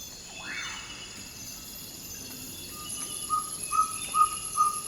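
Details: Pre-dawn Amazon rainforest in Ecuador, a ferruginous pygmy owl starting its territorial call: after a rising, swept call from another bird, a run of short 'toop' whistles begins and grows louder, against constant insect noise.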